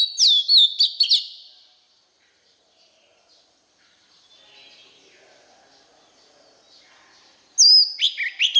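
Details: Oriental magpie-robin in fired-up song used to train young birds' voices sings loud bursts of high, sweeping whistles and quick chirps, broken by a near-silent pause before the next phrase.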